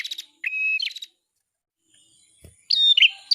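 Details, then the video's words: Bar-winged prinia song in two short bursts: chirpy phrases with a sustained mid-high note, a pause, then a brighter rising-falling trill; quiet background with a faint low thump. "suara burung prenjak kepala merah 😀 cimblek kepala merah masteran prenjak cimblek"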